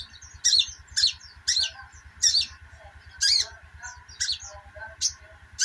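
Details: Little spiderhunter (sogon) 'ngeriwik' calls played as therapy for birds that stopped singing: short, sharp high chirp bursts repeated roughly every second, separated by quiet gaps, over a steady hum and faint low mechanical pulsing.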